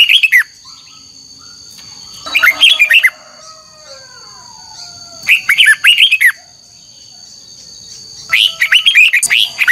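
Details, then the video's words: Red-whiskered bulbul in old wild-caught style, singing twisted double notes for voice training: four energetic warbled phrases, about three seconds apart, each a rapid string of bright up-and-down whistles, with a constant thin whine behind. "Luyện giọng chào mào hót hay âm kép xoắn, ép chào mào hót âm kép già rừng hay tuyệt!"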